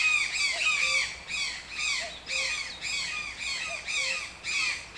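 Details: Toucan uttering loud, raspy squawks almost twice a second, each a downward-curving harsh note, with softer low clucks slipped in between some calls.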